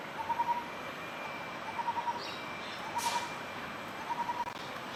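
Lineated barbet giving low, hollow, rapid three- to four-note phrases, repeated about every 1.3 seconds over a steady background hiss, with one brief rushing noise.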